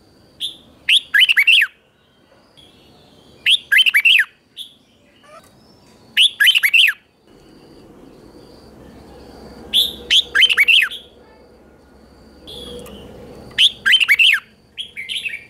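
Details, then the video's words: Morning training song of a red-whiskered bulbul in the 'chè' style: five short, loud phrases of sharp, dropping whistled notes, repeated roughly every two to three seconds, with a low background hum between them. "Luyện chào mào hót sáng 2024, QUÁ HAY - CHÉ KÍCH BỔI CĂNG ĐÉT, luyện chào mào hót căng lửa"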